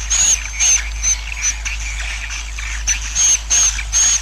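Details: Swiftlet colony roosting call, used as a lure so swiftlets settle and multiply: short raspy pulses with a piercing thin whistle on top, in quick runs separated by a softer, murmuring lull in the middle.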